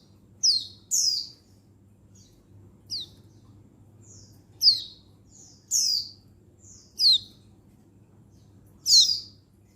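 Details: Oriental white-eye female, untulan type, summoning males, recorded 19 November 2022; about eight bright, sharply descending chirps at uneven intervals, some doubled, over quiet low hum.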